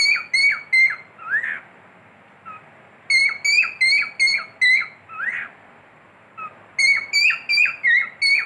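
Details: Cockatiel, a pet bird, whistles in three bursts of bright, clear notes with falling ends, each burst closing with a lower rising, wavering slur, separated by quiet gaps of one to two seconds.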